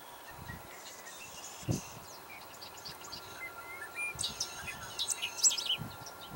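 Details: A bobolink sings in flight, a bubbly, jangling jumble of high metallic notes, loudest near the end, over faint hiss, a steady hum and a few low thumps. It was recorded in St. Catharines on 24 May 2021.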